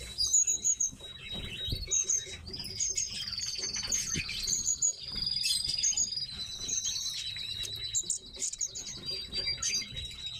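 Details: Pet tits (kept birds) chattering in high, thin chirps and rapid thin trills, several notes overlapping almost without pause, over a faint low background hum.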